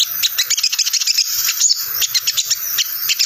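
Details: Crested jay (Platylophus galericulatus) gives a fast, unbroken high chatter of dry ticking notes, rattling on steadily without pause. The call is used as a lure, said to make other crested jays answer.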